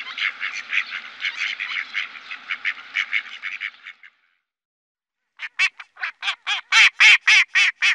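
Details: Mallard calling: a dense raspy run of rapid quacks for four seconds, a pause, then a louder series of separate nasal quacks growing stronger.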